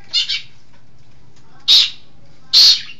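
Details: Long-tailed shrike from East Java, kept as a singing bird, utters a quick doubled harsh note followed by two separate loud, scratchy squawks spaced about a second apart.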